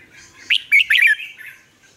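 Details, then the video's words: Caged red-whiskered bulbul lure song for training other bulbuls, Vietnam: a single short burst of three or four slurred whistled notes, clear and fairly loud over a quiet background. "chào mào mồi luyện giọng hót hay,giúp chào mào hót căng lửa chào mào mồi"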